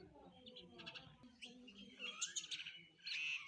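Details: Sparrows chirping as they eat: a few soft chirps, then louder, tangled high twittering and a sharp final note, with a faint low hum underneath.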